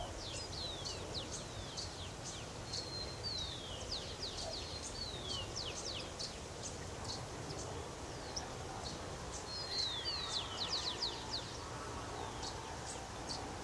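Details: Shiny cowbirds (Molothrus bonariensis) calling: thin, high whistled sweeps, mostly sliding downward, in quick overlapping bursts several times a second, over a steady rustling hiss of wind and leaves.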